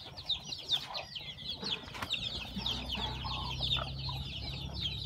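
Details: Newly hatched chicks on a farm pour out quick, high, slurred peeps in a crowded chorus over a low background hum, with a few deeper notes mixed in.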